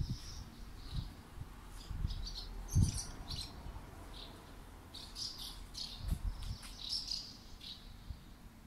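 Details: Swallows at a roadside rest station in Kazuno, Akita, Japan: short, high, twittering chirps come in scattered bursts throughout, set against steady low rumbling background noise.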